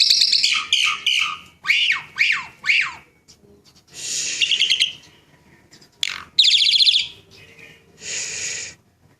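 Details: Asian pied starling from Java, a pet bird, singing varied phrases: quick descending whistled slurs, harsh buzzy chatter and rattling trills separated by brief gaps.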